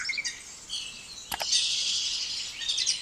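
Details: Spotless starling singing: a run of high, wheezy chirps and varied twittering notes, then two sharp clicks and a long, buzzy, scratchy passage, with faint background hiss.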